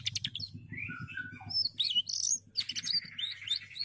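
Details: Canary song mixing rapid high trills with clear, slurred whistled notes at lower pitch, then a run of buzzy twittering, over a faint low hum.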